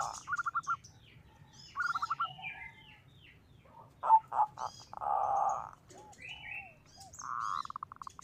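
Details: Zebra dove singing as a lure to provoke other doves; short bursts of rapid rolling coos break up the stretch between sharp chirps and twitters from other small birds.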